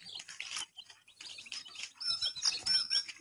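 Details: Colourful chicks peeping in a dense chorus of high, short, falling chirps that get louder toward the end, with some rustling underneath.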